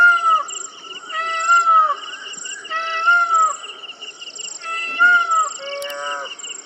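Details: Indian peafowl wailing: a series of mewing, nasal calls with strong overtones, slightly rising then falling, about one per second and a half, over a faint steady high hiss.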